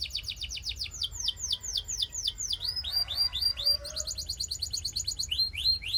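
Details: Canary; song; warming up males and stimulating females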